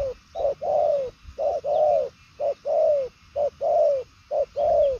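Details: Spotted dove of the 'đồng son chân tím' type giving a loud, regular cooing series. Five pairs of a short note and a longer descending coo come about every second.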